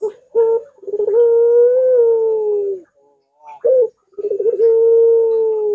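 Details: Puter dove, a training and lure recording for other puter doves, with a long arching voice: a rolling, stuttering start swelling into a long steady hooting coo, repeated twice with a short burst between.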